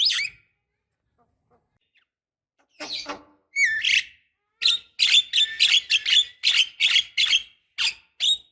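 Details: Javan myna female used to prompt a male to sing: one harsh squawk, a gap, then a run of sharp, grating chatter notes about every half second, with a brief rising whistle in the middle.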